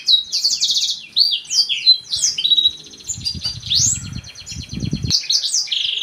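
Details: Black-throated canary pouring out a varied, high twittering song of slurred whistles and trills, with a low rumbling noise underneath between the third and fifth seconds.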